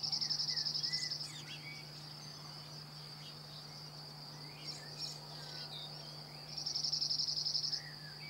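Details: A cirl bunting (Emberiza cirlus) in France sings two dry, rattling trills on one high, flat pitch, each about a second long, over a steady insect-like hiss, low hum and faint chirps from other birds.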